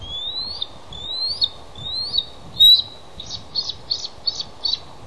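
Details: Male bald eagle sitting on eggs at the nest calls for his mate to take over incubation. Three thin, rising whistles about a second apart, a sharp squeal, then a run of five quick staccato chips.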